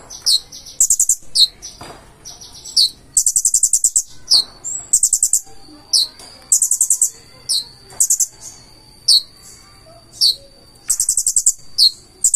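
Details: Purple-throated sunbird, known locally as konin, singing in lively 'gacor' form with a full 'isian' repertoire: very high, sharp chirps and fast buzzy rattling bursts in short clusters, separated by brief pauses, over a faint low background hum.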